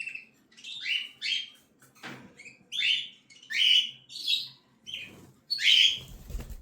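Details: Cockatiel chicks begging with short, rising, hoarse squeaks, about eight separate notes spaced under a second apart, a soft knock and rustle near the end.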